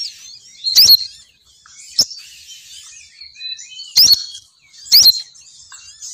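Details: High twittering from a female sogon bird used to coax males down, with three loud sharp rising squeaky chirps about a second apart and a single crisp click between them.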